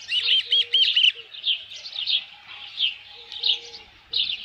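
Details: Osprey calling at the nest beside a headless fish, 27 June 2018 near 12:48 PM: bright, arched whistles repeated in a tight run, then softer high chirps at irregular intervals.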